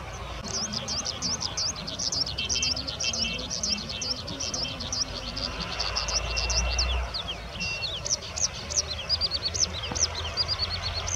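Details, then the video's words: An Oriental skylark (Alauda gulgula) at Ghatal, Paschim Medinipur, West Bengal, India, in February 2020, gives an unbroken stream of high, quick chirps and twitters over a low rumble of wind or distant noise. "With call, Oriental skylark"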